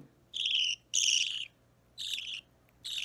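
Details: Budgerigar chick about three weeks old, hand-fed indoors on 30 March 2017, calls in four loud harsh grating bursts, each around half a second long, the first two close together, over near silence.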